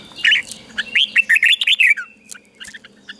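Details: Red-whiskered bulbul kept in a cage, its song played for birds to copy: a loud run of rich, slurred, bubbly whistles lasting about two seconds, then a few faint, scattered chirps.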